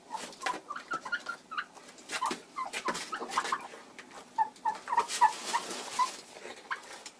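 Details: Bronze turkey hen, egg bound, in February: scattered clucks and brief higher notes among clatter, then a loose string of short yelps near the end.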